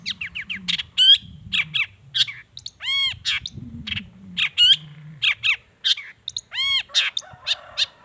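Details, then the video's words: Shrike lure featuring long-tailed shrike song: varied chattering notes mixed with distinctive repeated arched, stacked whistled phrases, lively and continuous with brief gaps, a low hum underneath. "SUARA CENDET GACOR ISIAN ALAM"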